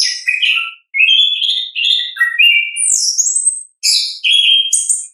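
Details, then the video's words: Orange-headed thrush singing in its ngeplong style, a natural recording used to prompt other birds to sing: a rapid varied run of sharp high whistles and slurred notes, some phrases sweeping downward, broken by brief pauses. "ANIS KEMBANG GACOR, pancingan suara asli alam anis kembang"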